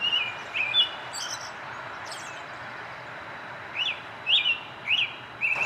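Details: American robin singing: short, clear whistled phrases, some rising and some falling, given in scattered bursts over a steady hiss of background noise.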